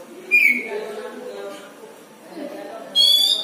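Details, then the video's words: Caged Oriental magpie-robin making an unusual sound: a brief clear whistle, a long quiet pause with soft background murmur, then a sudden buzzy, harsh, high-pitched note at the end. "KACER NGELUARIN SUARA ANEH"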